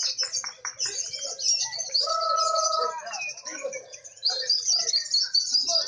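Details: Lovebirds at a bird singing contest, where judges reward birds that chatter actively and continuously: dense high-pitched chattering and rapid clicks, a steady whistled two-tone note near the middle, busy overlapping calls from several birds.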